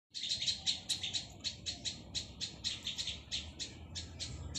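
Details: A young plaintive cuckoo (Cacomantis merulinus) begging, giving rapid, insistent high-pitched wheezy chirps, about four or five per second, in a steady stream over faint low background noise.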